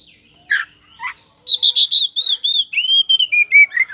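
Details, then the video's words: Magpie-robin (kacer poci) lure song meant to make another bird respond. Two short rising notes, then a rapid series of clear whistles that slide gradually lower in pitch. "SUARA PANCINGAN KACER POCI GACOR NGEPLONG BIKIN NYAUT NGOBRA!!!"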